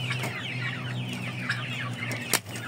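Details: Aseel, Oshamo and Ganoi chickens: high falling peeps repeated over a steady low mechanical hum, ending with a sharp click.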